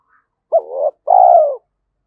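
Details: Spotted dove, Thúc Đấu 'giọng thổ' voice said to fit forest trapping; a faint click, then one soft coo: rising first note with a wavering tail, followed by a longer, slowly descending hoot.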